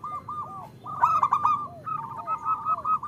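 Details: Female zebra dove, a local bird, calling to a male. Soft rolling coos near one pitch repeat in short trilled bursts, with a louder, denser burst of rapid notes in the middle and another run near the end.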